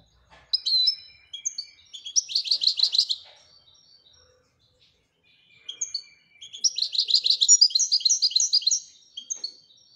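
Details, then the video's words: Moroccan goldfinch performing Widania song: scattered thin chirps build into a dense, jangling twitter, fall silent, then repeat as a longer rolling burst. "الحسون المراكشي لغة الويدانية"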